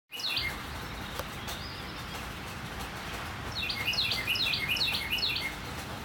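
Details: Northern cardinal singing on a rainy morning: after a few seconds of steady rain hiss, a rapid series of about six clear whistled notes, each sliding down sharply, repeats quickly toward the end.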